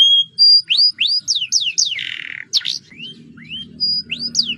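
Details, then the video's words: Energetic canary song in roll style, used to encourage other birds to sing: clear held whistles give way to repeated rising and falling slurs, a buzzy burst, then sparser upward whistles over faint low hum. "kenari roll gacor dor pancingan paud"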